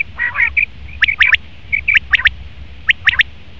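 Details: Calling male common quail: brief nasal notes first, then three crisp triplets of high, clipped syllables spaced about a second apart over faint low background hum.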